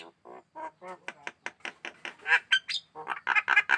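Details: Javan myna, described as in full song and aggressive toward hands, giving a rapid series of harsh, buzzy chattering notes, roughly one per second at first and then quickening, growing louder and more strident toward the end.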